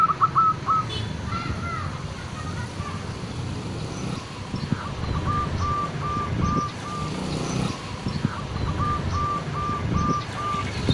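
A zebra dove gives bursts of quick, clipped cooing notes in even, rapid runs. Heavy low rumble and traffic-like noise run throughout.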